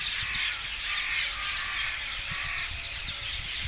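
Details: Parakeets flocking to their roost trees south of Hackney Marshes, 18 February 2021: a steady wall of shrill, overlapping screeches from many birds, with occasional soft low thuds underneath.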